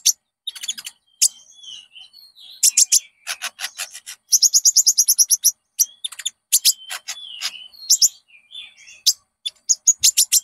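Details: Konin song played to draw out singing in caged birds: dense, varied high twittering with fast trilled runs, sharp chirps and a few soft whistled slurs.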